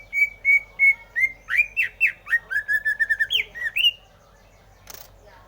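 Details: Greater green leafbird singing: several level whistled notes, then a lively string of varied rising and falling slurred whistles and quick chirps, followed by a brief click and quiet.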